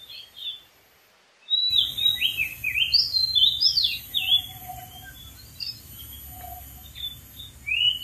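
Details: Singing wild Oriental magpie-robin on a dead tree: after a brief silence, a rich sequence of sweet whistled slurs and bouncing notes, softer low whistles mid-way, ending with an upward sweep; steady high insect buzzing throughout.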